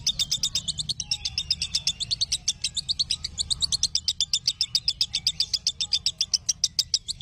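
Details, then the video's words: Lovebird singing, used as training audio for other lovebirds: a fast, steady stream of sharp high chirps, about four per second, with a low constant hum beneath. "Masteran Ampuh Burung Love Bird"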